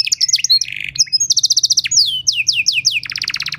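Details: Canary masteran and pancingan song used to teach and stimulate other canaries: quick downward-sweeping notes, a short buzzy rattle, then rapid high trills and a final fast series of pulsed notes.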